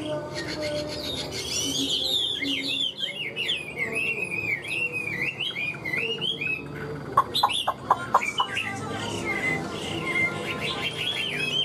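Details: Caged songbird Hwamei delivering a long, fluent song of wavering, looping whistles, briefly interrupted by a burst of sharp clicking notes before the melodious warbling resumes.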